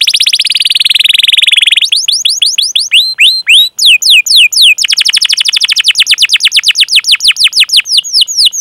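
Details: Long-duration canary song with 'cuit cuit' calling chirps and rolls, meant to prompt young or silent canaries: a high buzzy trill gives way to rapid downward-sweeping chirps, several per second, in long runs.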